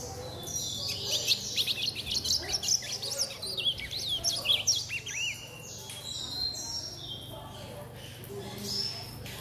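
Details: Young chestnut-bellied seedeater, a captive-bred chick, singing in the style of a blue-black grosbeak; a rapid run of varied high whistled slurs and chips, then scattered fainter notes, with a steady low hum underneath.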